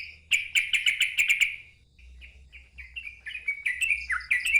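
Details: Loud ngeropel singing from a sooty-headed bulbul: opens with a fast stutter of sharp repeated notes, then softer gliding whistles that build into bubbly rising-and-falling phrases, over a low background hum.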